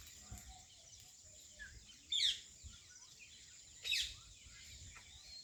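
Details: Birds chirping during evening and morning hours: two loud, sharp high chirp bursts about two seconds apart, with soft scattered tweets and a constant hiss of environmental noise behind them.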